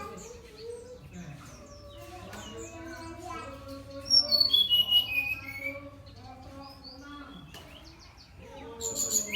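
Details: Brown-chested jungle flycatcher singing actively (gacor): a varied string of clear whistled notes, with a bright descending whistled run around four seconds and a high sharp burst near the end, over a steady murmur of lower tonal sounds.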